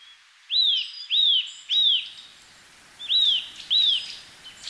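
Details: Eurasian nuthatch in Japan singing loud, pure whistles that rise then level off: three in quick succession, a pause, then two more, clean and close to the bird.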